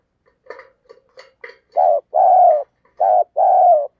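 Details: Decoy spotted dove calling to provoke wild birds: several faint, short clicking notes, then four loud, low coos in two pairs, each pair a shorter note followed by a longer, sustained one.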